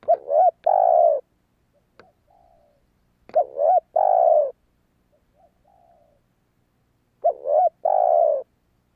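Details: Spotted dove call for luring wild doves: three loud two-part coos spaced about 3.5 seconds apart, with softer distant coos and a few clicks between them.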